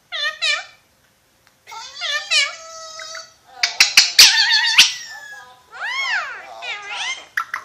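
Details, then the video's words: Alexandrine parakeet, called a Pakistani ringneck parrot, talking indoors: high, speech-like phrases with clear harmonic stacks, a short pause, then rapid chattering syllables and rising-falling squawky words at the end. "Pakistani Ringneck Parrot Talking"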